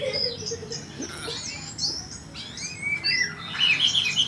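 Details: Oriental magpie-robin song, softer and somewhat masked, with scattered sweeping whistles and short chirps over a noisy, humming background.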